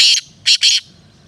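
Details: Three harsh, scratchy notes from a black francolin: a first burst, a short pause, then a quick double note, over a faint low background hum.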